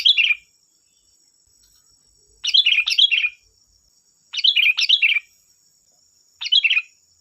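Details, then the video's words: Lure song of a sooty-headed bulbul meant to provoke other birds to reply, given as lively clusters of two or three quick warbled notes separated by pauses, with a constant thin high-pitched hum behind. "Suara burung Kutilang Gacor || Suara pancingan Kutilang bahan"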